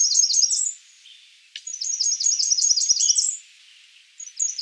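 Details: Blackburnian warbler: a high, wiry sequence of quick notes ending in an upward sweep, followed after a pause by a longer, similar run and the start of another.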